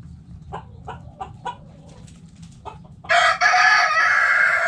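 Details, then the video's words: Backyard chickens in the coop: a run of short, evenly spaced clucks, a few more scattered clucks, then a loud harsh rooster crow begins and holds to the end over a low hum. "Backyard Chickens In The Coop Relaxing Video Sounds Noises Hens Clucking Roosters Crowing!"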